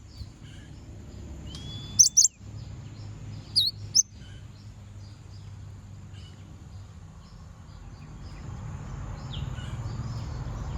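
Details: Konin bird song used to provoke rival birds: two short clusters of sharp, high squeaky notes near the two-second and four-second marks, with a brief thin whistle between them, over a steady low rural hum.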